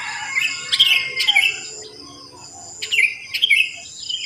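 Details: ['Just after dawn in a housing complex full of sooty-headed bulbuls: clear, bubbly whistled notes in short bursts, a pause, then more liquid phrases, with a steady high hiss behind.']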